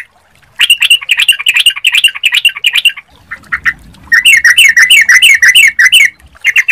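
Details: Yellow-vented Bulbul lure song gives bubbly, harsh chattering phrases in quick bursts, about three notes a second, with a brief pause between bouts. It is used to draw other bulbuls into answering.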